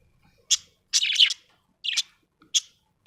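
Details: Budgie chirping happily: clear high chirps spaced under a second apart, one stretched into a short scratchy warble, with near silence between the notes.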